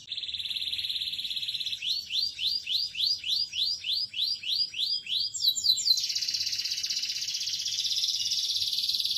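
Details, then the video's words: Canary song opening with a steady high trill, then about three upswept whistled notes per second, ending in a long, dense, buzzing roll. "kenari gacor good canary singing"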